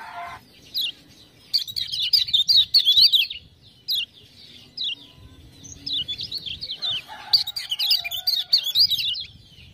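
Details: A Lombok lemon-bellied white-eye, used as a master song to prompt other birds to sing, gives two fast bursts of high, sweet, twittering warbles, each a couple of seconds long, over a faint low hum.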